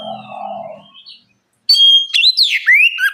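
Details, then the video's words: Oriental magpie-robin bait song meant to draw other birds into song: soft low warbling first, a brief silence, then loud clear whistles and descending slurred notes. "Pancingan kacer gacor ngeplong masteran kacer bahan lekas bunyi nyaut!"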